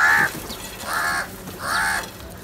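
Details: Crow calling, harsh nasal caws: one short caw at the start, then two longer drawn-out caws about 0.7 seconds apart, with a faint background hiss.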